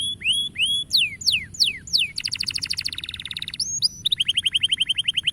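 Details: Singing canary, used to motivate young canaries to sing: looping falling whistles, then a dense rapid buzzing trill, a pair of sharp upslurs and a fast even trill of bright repeated notes.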